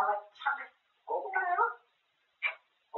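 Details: Pet grey parrot chattering about food, with a few short speech-like words, a longer rolling phrase and one sharp high syllable near the end.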